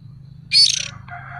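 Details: A young oriental magpie-robin calling as a lure gives one loud, harsh, fluttering screech, followed by softer, lower chattering notes, while a low hum runs throughout.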